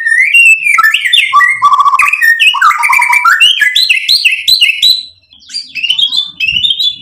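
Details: White-rumped shama song used to make a bird emotional and answer: fast stepped whistled notes hopping up and down in rapid series, a brief dip in volume, then higher chirping phrases.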